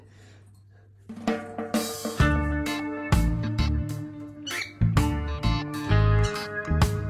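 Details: A faint hum gives way to loud drum-kit music with pounding bass drum, snare hits and cymbals.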